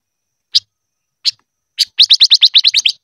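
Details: Silver-eared mesia singing in the 'ché' style for voice training: three spaced sharp high chirps, then a fast run of about ten clipped notes in a quick burst.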